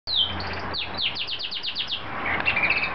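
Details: A canary in full song sings a bright, rapid run of high descending chirps, about six in a row, then a trilling warble, loud and continuous, with traffic noise in the background.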